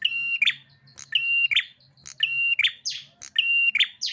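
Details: Agitated prinia singing a harsh, repeated phrase: a steady buzzy tone ending in a sharp upward rasp, delivered roughly every 1.3 seconds, with short clicks in between.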